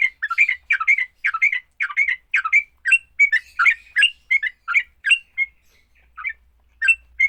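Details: Sooty-headed bulbul giving its fighting song to get other bulbuls singing: a lively sequence of clipped, chirpy warbled notes, about one per second, that thins into scattered single notes near the end.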